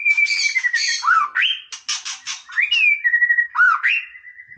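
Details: A white-rumped shama sings freely, mixing clear falling and swooping whistles with loud raspy, chattering bursts in a varied, fast-changing phrase.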